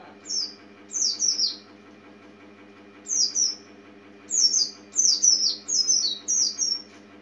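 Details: Oriental white-eye, a small yellowish bird, giving thin, high chirps that slide downward, in short bursts of two or three notes separated by pauses, over a steady low hum.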